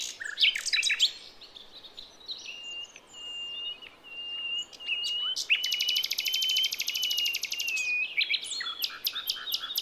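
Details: Female wild forest bird, Java, calling for males and used to lure young birds: rapid chirps, then a long thin level whistle, then a fast buzzy trill and closing sharp chirps.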